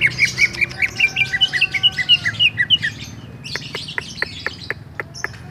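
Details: Greater green leafbird of the Bali type singing ngerol: a series of evenly spaced whistled notes, about two a second, followed by a run of loud, sharp clicking ticks.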